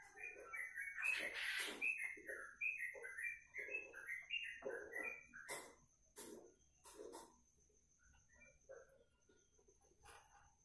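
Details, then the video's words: Sooty-headed bulbul giving a long 'ropelan' style song, described as suitable for training other birds: rapid run of bright rising and falling whistled notes over a steady high whine and clattering background noise, fading into scattered chirps. "Trucuk Kongslet Ropelan Panjang"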